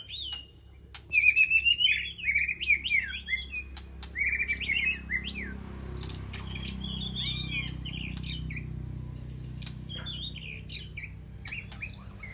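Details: White-rumped shama communicating with its flock in an aviary: a burst of rich warbling whistles early, then fainter scattered whistled notes over a steady low hum.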